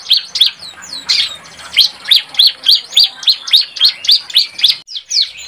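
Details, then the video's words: A juvenile bar-winged prinia learning its calls gives a fast series of high, sharp chirps, about three or four a second, sometimes slurred together. "Ciblek Remaja Belajar Bunyi"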